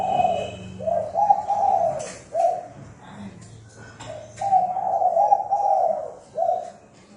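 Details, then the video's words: Lure spotted dove for trapping, giving intense rapid coos: a long run of mellow, hollow notes, a short coo, then another long bubbling phrase and a final short note, with faint clicks and room noise. "Tiếng Chim Cu gáy mồi thúc bổi tốc độ cực mạnh"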